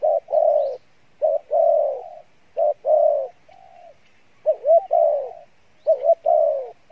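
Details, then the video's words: Wild-caught spotted dove singing the Pha Bài Lối cooing style. Low, rounded coos come in uneven groups: brief notes, then drawn-out falling tones, with a hooked two-part coo near the end. Background is quiet. "Đồng Pha Bài Lối , tốt Giọng , Gù khá"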